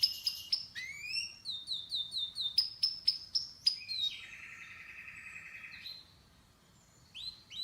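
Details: Canary singing a varied, high-pitched song: quick sharp chirps and rising whistled notes repeated in fast runs, then a sustained buzzy trill before a short pause and a final burst of bright notes.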